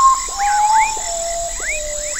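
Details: Common potoo singing its melancholy night song in forest: a series of long, pure whistled notes stepping down in pitch, each lower than the last, over a constant high insect drone and scattered rising frog chirps.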